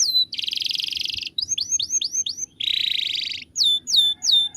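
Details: Canary master song for bird training: buzzy trills alternating with quick rising whistled slurs, ending in a few loud descending whistles, with a soft low hum behind.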